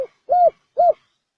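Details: Spotted dove thổ sấm đồng cooing used to attract males, females and wild birds; two short, round, mellow hoots about half a second apart, in silence.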